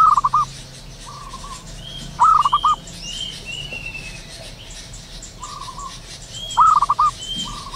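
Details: Morning calls of a local zebra dove in the wild: rapid bubbling coo phrases repeated every two to four seconds, alternating with softer steady coos, and distant high whistled notes of other birds.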